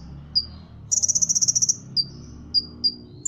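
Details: Ruby-cheeked sunbird from Cililin, a contest bird, imitates a cricket: a rapid, buzzy trill of about a dozen even pulses lasting under a second. Isolated sharp high chirps come before and after it.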